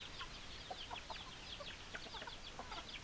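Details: Chickens calling: many thin, high peeps sliding downward, overlapping from several birds, fairly quiet against a steady background hiss.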